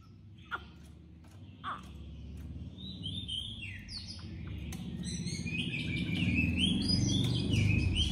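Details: Caged, tame Chinese hwamei from Hanoi, sharp-voiced: two sharp clicks open, then a song of sweeping and rising whistled phrases builds louder over a strong, rumbling low background noise.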